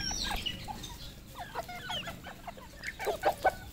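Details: Red junglefowl at a farm in Cambodia, giving short clucking notes in scattered bursts with sharper clucks near the end, over a busy background of many other birds calling.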